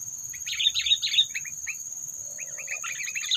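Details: Sooty-headed bulbul calls played to lure and provoke predators during bird trapping: rapid jumbled chirps and twittering notes in quick runs, pausing briefly midway, then resuming, over a constant high-pitched hiss.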